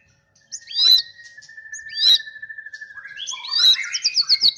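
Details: White-rumped shama, a champion songbird, singing clear whistled notes: two loud sweeping phrases over a long steady tone, then a fast run of bright repeated whistles.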